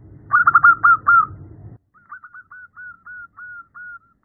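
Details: Female zebra dove calling to a male, opening with a loud cluster of quick bubbling coos, followed by a calmer series of softer, clipped coos repeated about three times a second.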